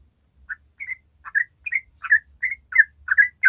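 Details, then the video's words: Yellow-vented bulbul ropel song from a bird in top singing form. It starts softly, then builds into a series of bright slurred chirps, some paired, repeated faster toward the end. A low hum runs throughout. "ORIGINAL SOUND YELLOW VENTED BULBUL"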